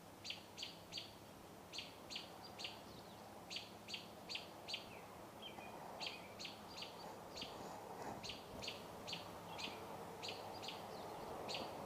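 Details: Loud wild birds beside a deck in Metchosin, British Columbia: short, bright chirped notes repeated quickly, about two or three a second, in loose groups, over a steady low rumble of background noise.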